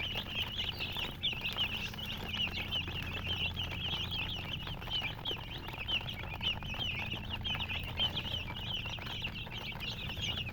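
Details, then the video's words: A group of chicks keeps up continuous bright, high-pitched cheeps, many birds calling at once so the notes run together in a busy chatter, with a low background rumble. "silly chicken chirping sounds"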